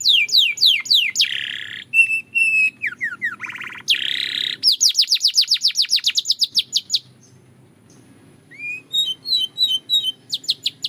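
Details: Varied Belgian canary song mixing falling chirps, harsh buzzy bursts and level whistles, a long fast trill, a short pause, then softer scattered high notes and chips.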